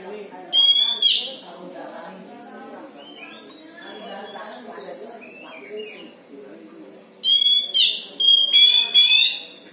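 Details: Oriental magpie-robin kept at home as a caged songbird, making strange sounds: a short harsh buzzy burst early, then a quiet gap with faint low sounds, then a run of several loud, rasping, rich notes near the end.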